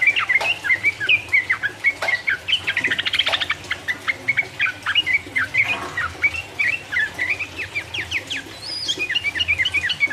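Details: Yellow-vented bulbul song meant to provoke rivals: a long, dense, excited chatter of quick slurred chirps with a few sharper high notes near the end.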